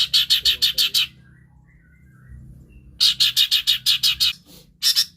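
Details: Long-tailed shrike imitating other birds, used as a prompt for birds that will not sing: a series of six buzzy high chirps, a silent gap, then eight more in a similar fast, regular rhythm.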